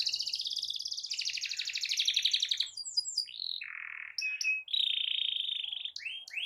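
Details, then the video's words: Canary delivering a long rolling song to provoke other canaries; an extended, quickly pulsing trill lasting nearly three seconds, followed by short whistled phrases, a lower buzzy note and a steady high roll. "Kicau Kenari Gacor Efektif PANCING EMOSI Kenari lain Cepat ikut gacor Ngerol panjang"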